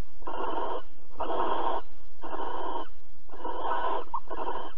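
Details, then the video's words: A barn owl's rough, snoring hiss, heard in Alphen on the evening of 22 April 2020 at 21:37 during mating and cuddling. Five evenly spaced, half-second bursts sit about one second apart against a quiet low hum. "Kerkuil Alphen 2020 04 22 Paring en Kroelen"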